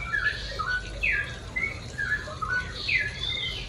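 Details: Morning song of a straw-headed bulbul meant for training pet birds: melodious whistled phrases with rising and falling slurs, somewhat muffled against a noisy, hissing background.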